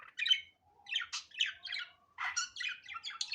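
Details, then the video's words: Budgerigar calling in its natural voice, unedited: a run of short squawky chirps and scratchy warbled notes in quick irregular bursts, with brief pauses between phrases. "Muhabbet Kuşu Doğal Sesi"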